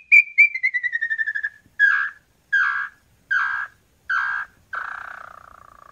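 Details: Red-legged tinamou song, also called chorona: a fast series of clear whistled notes sliding gently downward, then four separate harsher, buzzy whistles spaced under a second apart, ending on a longer fading note.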